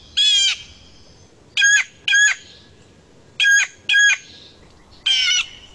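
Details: A year-round Quebec Blue Jay gives six harsh, nasal jay calls, mostly in quick pairs about a second apart, over a quiet background; the squeaky sound likened to a squeaky door.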